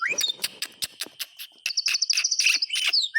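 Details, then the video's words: White-rumped shama singing to prompt quiet shamas: jumbled high chattering notes and clicks, then a fast trill of tiny high ticks and bright slurred whistles. "SUARA BURUNG MURAY TERGACOR COCOK UNTUK PANCINGAN MASTERAN"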